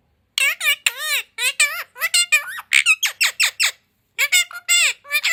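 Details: Speech-mimicking parrot kept as a pet, said to talk in six Indian and other languages; rapid high-pitched chattering of word-like syllables, mostly clipped and sharp, with one brief silence near the middle.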